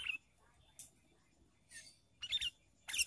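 Sooty-headed bulbul giving short, bright chattering bursts high in pitch, about five brief phrases in three seconds, with quiet gaps between.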